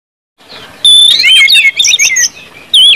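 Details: Orange-headed thrush in the 'ngeplong' song style, used to stimulate other birds to sing: after a brief silence, loud high whistled notes break into rapid looping warbles and twisting phrases.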